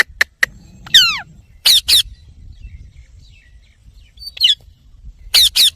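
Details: Sparse, piercing Indian ringneck parakeet notes: a sharp downslurred screech near the start, then isolated harsh squawks spaced over several seconds, with quiet background in between.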